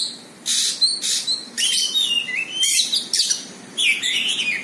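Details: Oriental magpie-robin answering a rival with bursts of bright, high, sliding whistles and scratchy notes, repeated in short phrases about every second.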